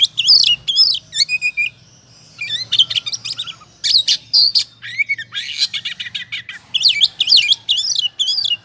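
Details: Ngobra-style oriental magpie-robin song as a lure to provoke singing: brisk, energetic phrases of twisting whistles and rapid chirps, broken by brief pauses and repeated throughout.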